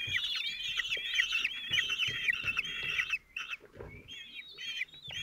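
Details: Four 17-day-old common kestrel chicks being fed by the male at their nest in Théding, 27 June 2023. Dense, overlapping shrill trills run almost continuously, then break into a few separate calls near the end.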